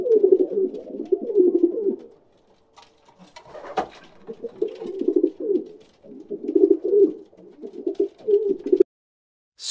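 Low, throaty pigeon cooing in soft rolling bursts, with a brief pause and a faint click partway through; nothing else stands out.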